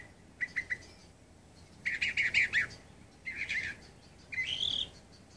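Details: A northern mockingbird at San José del Cabo on 13 October 2014 sings varied phrases: three quick chips, a rapid run of harsh, buzzy notes, a shorter burst, and a rising whistled phrase.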